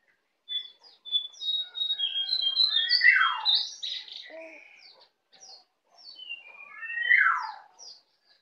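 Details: Learning ngeplong singing, a young Bali white-eye in captivity strings together quick high twitters and buzzy notes, two loud descending whistles about four seconds apart.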